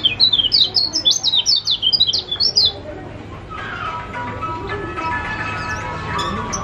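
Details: Lombok yellow white-eye (kecial kuning) in full song, used to prompt silent birds to sing: about a dozen loud, high, twisting chirps in quick succession for nearly three seconds, then a muffled, noisy background.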